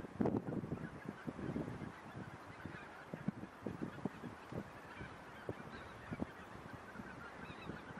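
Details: Several thousand wintering geese, chiefly 1600 Greater White-fronted Geese plus Tundra Bean, Egyptian, Barnacle and one Pink-footed Goose, feed undisturbed in a polder on 26 January 2017; a loud honking chorus opens, then sparser yelping calls over low wind noise.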